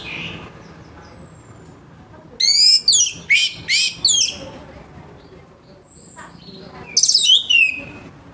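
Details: Harsh morning song of an orange-headed thrush, meant to prompt others to sing: a brisk series of five loud, sweeping, grating notes, a pause, then another short burst of descending scratchy phrases.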